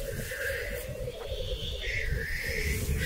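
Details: Black grouse lekking in 2023: an unbroken low bubbling drone beneath a drawn-out hissing whoosh, with a steady outdoor background.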